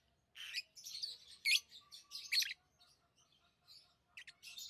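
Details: Lovebirds chirping in a busy run of rasping, high-pitched notes, irregular and overlapping through the first half, then thinning to a few sharp squeaks.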